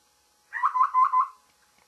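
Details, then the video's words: In the morning a babbler utters four harsh, buzzy notes in a tight row at a steady pitch, followed by a few faint soft ticks. "Babbler's morning call"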